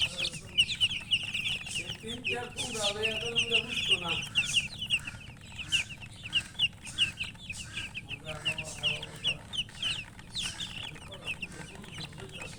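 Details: Constant high chicken peeping from many birds at once, short rapid chirps throughout, briefly joined by a lower, harmonic, drawn-out voice near the middle and again later.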